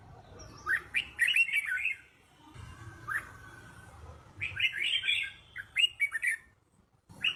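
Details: Red-whiskered bulbul song played to teach young birds to sing: lively whistled phrases in bursts with a single sliding note between them, over a low rumbling background.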